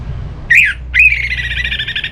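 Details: Orange-headed thrush (Geokichla citrina), a captive bird from North Bali, gives a short slurred whistle then a rapid buzzy trill held at a steady high pitch over a low hum; a song meant to stimulate another thrush to sing.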